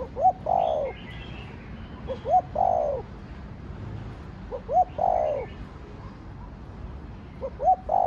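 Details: Spotted dove in the Thổ Đồng voice style, cooing to stimulate other doves: four phrases about every 2.5 seconds, each two quick rising notes then a longer falling coo, over a steady hiss, with faint higher chirps of other birds.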